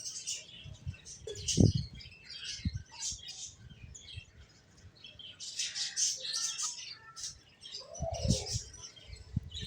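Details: Finches chirping together in a busy chorus of high, thin tweets and short squeaky notes, overlapping throughout, with low thumps and rustling underneath.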